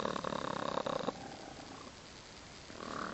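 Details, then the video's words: Laying hens at night, roosting. A rapid pulsed, buzzy purring trill with a steady tonal hum runs for about a second, then fades to quieter low murmuring and a faint rising hum at the end. "Do Chickens Snore?"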